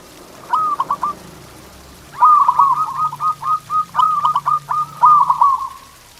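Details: Zebra dove song played to make pet doves sing: a short stuttering phrase, then a long sequence of rolling coos and clipped notes over a faint low hum.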